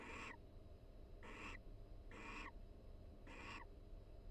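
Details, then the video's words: Barn owl pair chatting in their University of Florida nest box during the breeding season: four hoarse, rasping hisses, about one each second, against a steady low hum. "Sweet Conversation: Barn Owl Pair Chats and Preens Inside the Nest"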